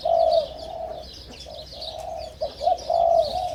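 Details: Five-month-old Spotted Doves from the first clutch of the hybrid 'sai din' line crowing: a long hoarse coo, softer coos, then a renewed louder phrase, with soft high chirping of other birds in the background.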